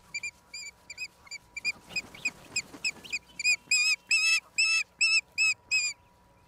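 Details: Osprey at the nest in Charlo, Montana, USA, April 26, 2022, live cam: thin chirps build with some rustling into a loud, rapid volley of long whistled screams, roughly two to three per second.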